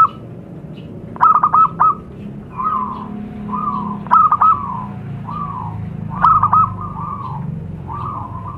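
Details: Wild zebra dove in Indonesian nature, a lure recording: loud stuttering coo phrases roughly every two and a half seconds, alternating with evenly spaced softer single coos, over a low steady hum.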